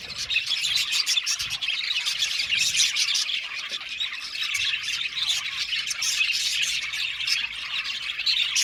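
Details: Dense chirping of an Australian budgie colony in an aviary: steady, excited warbling and squeaky twittering from many birds overlapping without pause.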